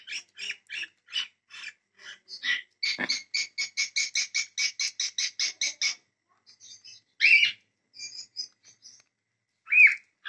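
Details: Cockatiel: a quick run of about two dozen short, harsh, bright chirps that tighten into a steady rapid series, then stop. A few scattered softer notes and two louder screechy calls follow.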